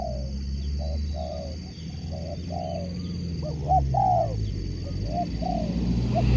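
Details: Spotted dove kept as a competition sport dove sings a run of soft mid-pitched coos, some with a sharper hooked note, over constant low-pitched background hum.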